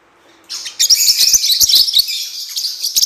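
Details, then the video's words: Blue-winged parrotlet (Forpus xanthopterygius) song for training, giving rapid, high, buzzy chattering twitters, about four notes a second, with a few sharp clicks. "CANTO DO FORPUS"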